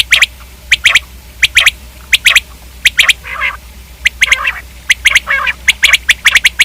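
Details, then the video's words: Paired and tripled clicking notes from a common quail, repeated at short regular intervals, with two gravelly, drawn-out rasps in the middle. "Common quail video|Quail k hobsort awaz|Quail/Batair|Batairawaz"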